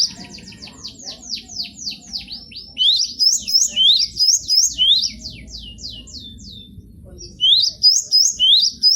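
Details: Cinereous tit (gelatik batu) showing off its repertoire of song phrases on a bird-training recording. A fast run of descending whistled notes gives way to loud, rising two-note phrases repeated rapidly, with a soft low hum underneath.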